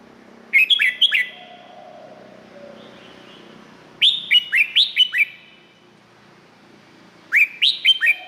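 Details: Thailand Red-whiskered bulbul delivering three lively phrases of four to six sharp, bouncing whistles, several seconds apart, over a faint low background hum.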